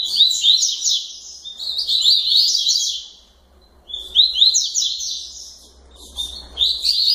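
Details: Double-collared seedeater, a captive bird from a Santa Catarina breeder, sings the tui-tui style late at night: two bursts of fast, rich warbled phrases high in pitch, with quick descending slurred notes, separated by a pause.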